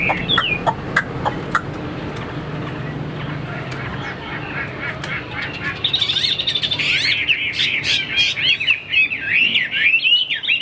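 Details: Caged Chinese hwamei of fighting stock that flares its wings. Scattered clicks and short whistles come first, then from midway a fast continuous run of rich warbled, looping whistles.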